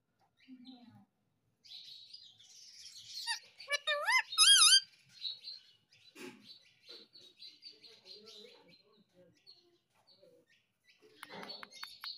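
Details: Talking Indian ringneck parakeet kept as a pet, said to say 'Mummy Papa' and 'Mitthu Mitthu': a quick burst of loud wavering harmonic squeals mid-clip amid soft scratchy chirps and rustling.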